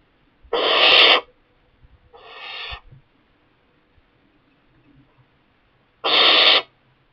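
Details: Juvenile barn owl settled in a kestrel box while the parents keep delivering mice: three rasping, noisy screeches, loud first, a softer middle one, then another loud hiss after a pause, faint knocks beneath.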